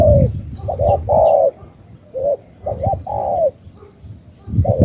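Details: Close, loud cooing of a Cà Mau spotted dove: quick paired notes running into a drawn-out downward coo, separated by pauses, with low rumbling noise and faint distant chirps.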